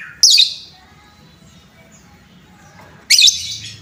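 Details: Lovebird in a lure recording meant to stir up other lovebirds: two loud, shrill, harsh chirps, one just after the start and one near the end, with a faint low hum between them.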